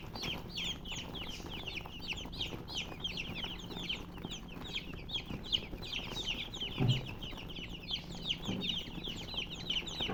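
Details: Domestic chicks keep chirping continuously, high overlapping peeps with falling pitch, joined by a low steady hum and a couple of brief knocks.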